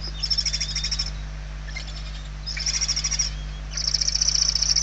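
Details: Begging barn owl nestlings, one very weak, recorded inside a nest in Spain on 28 November 2023. Sharp, rapidly pulsed high snoring hisses come in roughly one-second bursts, the last one louder and longer.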